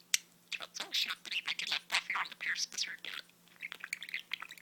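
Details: Pet budgie talking, with speech-like phrasing: bursts of hoarse, whispery, chattered syllables separated by short gaps, sounding like mumbled words, then softer scratchy chatter toward the end; low hum in the background.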